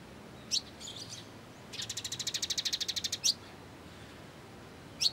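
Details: Sunbird, called kolibri ninja in Indonesia, recorded as song-training material in the 'full gereja tarung' style: sharp high chips, then a fast buzzy trill of about fifteen rapid notes, with more single chips after it.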